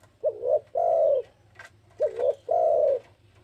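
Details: Spotted dove cooing as a lure call: two phrases, each a short double coo followed by a long, steady, low hollow coo, about a second apart, with faint background hum.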